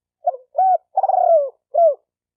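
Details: One full spotted dove phrase, a call to stir males and females: quick low stutter, smooth arched hoot, a rolling trilled coo falling away, then a closing hoot, nothing else audible.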